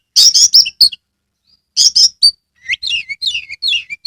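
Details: Caged Oriental magpie-robin in Kebumen, Central Java, singing hard with spread tail. Loud grating buzzes open the phrase, and after a pause more rasps lead into a warbling sequence of quick up-and-down whistles.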